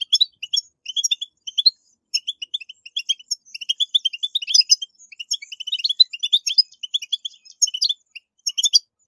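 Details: Long, rapid goldfinch twittering, a 'batbata' meant to spur captive goldfinches into song: tinkling, metallic notes and quick trills running almost continuously, growing busier and denser toward the middle.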